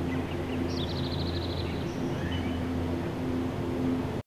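Whimbrel giving a quick, even run of about seven high whistled notes, over a steady low engine-like hum.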